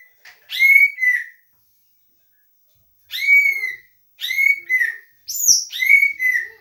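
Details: A leafbird sings vigorously with doraemon-style filling, giving loud, ringing whistled notes that bend downward. They come in pairs and small runs, and a higher sliding whistle follows near the end.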